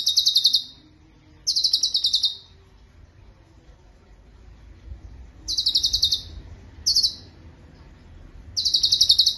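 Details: Sharp, rapid trill bursts from a cucak cungkok recorded for use as master song, with scattered rolls separated by a long quiet gap and a faint low rumble in the background.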